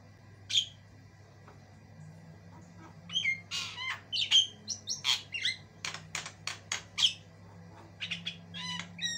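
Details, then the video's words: White-eyed Javan myna, described as singing non-stop with varied, long-lasting chatter, a training recording for other birds: harsh buzzy squawks and sharp whistled notes in bursts of chatter, a low steady hum underneath. "JALAK KEBO MATA PUTIH GACOR PARAH"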